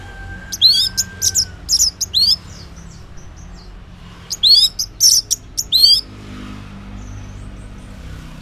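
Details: An orange-headed thrush sings in the morning: two bursts of rich, high, varied phrases, quick slurred and trilled notes separated by a few seconds of quiet, with a faint distant whistle early on.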